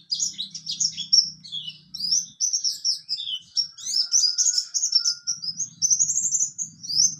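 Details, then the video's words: Mountain white-eye in ngalas and nembak song, pouring out a continuous stream of high twittering and trilling notes over a low background hum. "Pleci Bxtoni juga bisa Ngalas Nembak"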